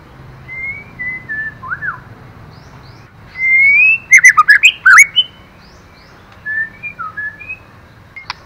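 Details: Female white-rumped shama song meant to stimulate a male: scattered soft whistled notes around one loud phrase of a long rising whistle and a rapid series of sharp, jumping chirps, ending with a click.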